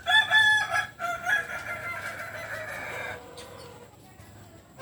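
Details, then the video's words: Kokok Balenggek rooster from Solok, West Sumatra, crowing: a loud harmonic crow broken into stepped syllables over about three seconds, then fading into quieter background noise. "Ayam kukuak Balenggek"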